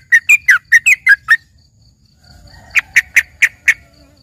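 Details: Yellow-vented bulbul (trucukan) as filler song for a green leafbird: a quick phrase of seven whistled, slurred notes rising and falling, a pause, then five evenly spaced sharp chips. The background is quiet.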